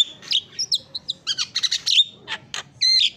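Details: Javan myna, noted as a champion singer, delivering a varied string of clear whistles, squeaky chirps and harsh chattering notes with brief gaps between phrases.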